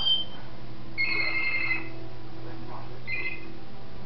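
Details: A female African grey parrot, recorded in December 2007, gives two short bursts of mimicked sounds, bright ringing tones like phones ringing near the start and again after a pause, over a steady indoor hum.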